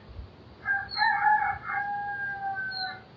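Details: Rooster crowing on a summer morning in a tranquil mountain village: a single loud harmonic crow, broken at first, then drawn out into a long steady note lasting about two and a half seconds, with faint high bird chirps nearby.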